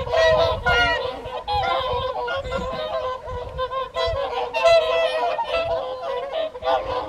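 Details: A large flock of whooper swans calling during the evening feed on the Folly Pond at WWT Caerlaverock in January 2023; bursts of bugling honks overlap constantly, with faint low thuds underneath.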